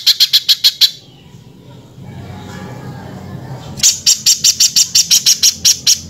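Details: Spiderhunter (pijantung), in energetic harsh-voiced full song used to train other cage birds, gives loud rasping notes in rapid even series of about three per second, broken by a pause of nearly three seconds with faint low background hum.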